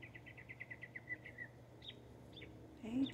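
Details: Texas Northern mockingbird giving a rapid series of repeated short notes followed by slurred phrases, then a man's voice calling out at the end over a low background hum.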